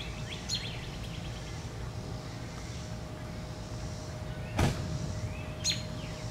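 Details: Agitated male American robin, father of three eggs in a nearby nest, after an aggressive chase with a blue jay in an American holly, Alexandria, Virginia, July 10, 2019; a few sharp, high alarm notes, one louder snap, over traffic rumble.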